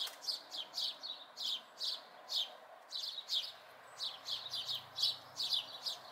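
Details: House sparrow fledglings near home in May 2020, giving a rapid run of sharp, downward-slurred chirps, about three each second with brief gaps, steady throughout against a soft background hiss.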